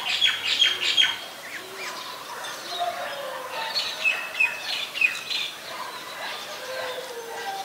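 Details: White-vented myna recorded in Ubon Ratchathani, Thailand, on 26 December 2020. Short, bright whistled notes repeat in quick bursts over a busy, harsh chatter, with lower squawky notes beneath.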